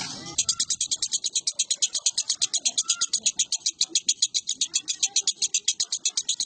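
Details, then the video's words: Lovebird singing, recorded 19 January 2018: a long unbroken trill of fast, shrill, evenly spaced chattering notes, about six per second, with faint room noise beneath. "Suara Lovebird"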